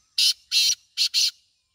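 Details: Black francolin, known locally as kala teetar, calling: four loud, harsh, grating notes in under two seconds, two spaced apart followed by a close-set pair, with a quiet background.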